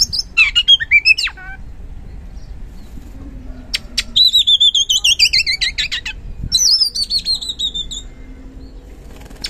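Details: Oriental magpie-robin (kacer) song as a lure for birds reluctant to sing: rising whistled phrases, then two long, quick series of high notes, each stepping steadily downward in pitch.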